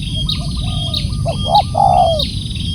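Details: Loud calling of a spotted dove: a few short hoarse coos then a longer arched, slightly descending coo, over a low continuous rumble and high thin repeated chirps.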